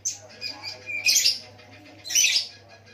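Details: Ruby-cheeked sunbird trained on lovebird song, whose singing is said to draw other sunbirds into song. A few thin chirps, then two loud, harsh, high bursts about a second apart over a faint low hum.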